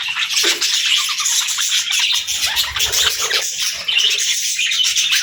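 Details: Pet parrot during its morning routine: steady high chirping chatter mixed with scratchy notes, unbroken throughout.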